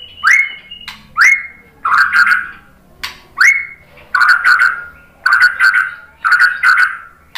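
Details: White-rumped shama lure song meant to make other shamas answer: a rising whistled note repeated about once a second, followed by richer warbled phrases in steady succession, with a faint low hum underneath.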